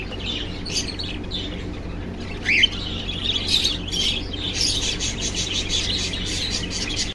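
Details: Cockatiel giving cute love sounds: scattered high chirps, then a sharp rising squeak, followed by lively chattering twitters, with steady low hum underneath.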